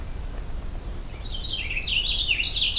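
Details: Overcast morning at a hunt camp, a Purple Finch perched atop a tall jack pine: faint high slurred notes give way to a loud, jumbled warble that builds and continues to the end, over a low background rumble.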